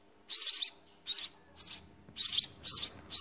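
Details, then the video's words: House sparrow nestlings being fed: short bursts of loud, raspy, high begging chirps, one after another in quick succession. "Sparrow feeding babies in nest"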